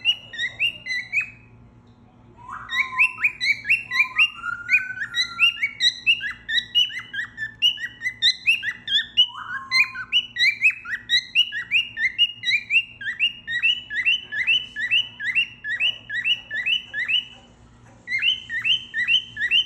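A cockatiel whistles a long, lively string of bright notes with rising swoops and quick repeated chirps.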